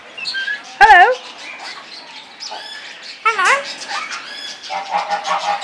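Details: Pet parrot vocalizing indoors: two loud, harmonic, wavering squawks near the start and middle, with softer chattering and whistled fragments between and after them.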